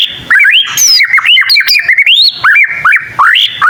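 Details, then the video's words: White-rumped shama, a young bird learning to sing, its song said to make other shamas reply; dense run of loud, varied whistles and slurred upward sweeps with a few sharp high notes, nearly continuous. "Suara burung murai batu paling gacor bikin burung murai lain langsung nyaut"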